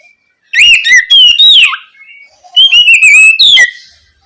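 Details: An Oriental magpie-robin sings at night in 'ngeplong' style to prompt spotted young birds to call back: two bursts of bold whistled phrases with sharp chips, down-slurs and a steady level whistle, separated by a brief pause.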